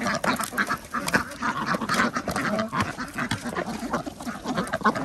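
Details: Farm ducks kept with chickens and geese at a village organic farm in Andhra Pradesh, calling at feeding time; dense overlapping quacks from many birds, steady chatter throughout.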